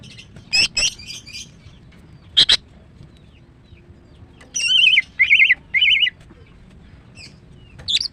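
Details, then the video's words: Female greater green leafbird kept in a cage, singing: scattered sharp clicks and chirps early, then three evenly spaced warbled whistles around five seconds, and a last high squeak, with quiet pauses between. "Ampuh TERAPi MACET BUNYI dengan CUCAK IJO BETINA"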